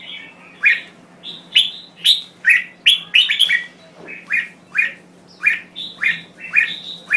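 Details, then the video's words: Red-whiskered bulbul of the Thai type singing a lively run of bright, rich whistled phrases, each short and slurred downward, repeated roughly every half second over a faint steady low hum. "Chào Mào Thái Lan Hót Cực Hay"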